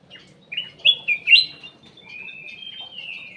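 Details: Ruby-throated bulbul lure song: three or four short, bright, rising whistled notes in quick succession, then a drawn-out, slightly wavering whistle that slowly falls away, with a quiet low murmur underneath.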